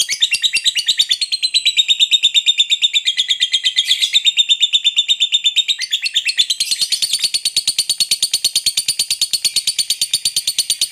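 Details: Extended ngekek chattering of a lovebird, a lure to set other birds singing; sustained rapid high trill of buzzy pulses, shifting pitch several times and rising in the final seconds.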